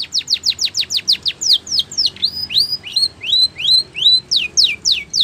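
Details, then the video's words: Spanish Timbrado canary song used for training canaries: a fast series of steep downward-sweeping whistled notes, about three per second, giving way to rising, slurred notes. Then it returns to quick descending strokes. The song is clear and close, over a quiet background. "The Best Spanish Timbrado Song For Training Your canary"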